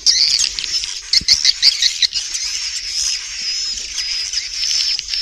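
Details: A crowd of swiftlets recorded indoors in a productive swiftlet building, giving loud high squawking chatter and rasping trills that merge into a steady, buzzy wash of overlapping calls.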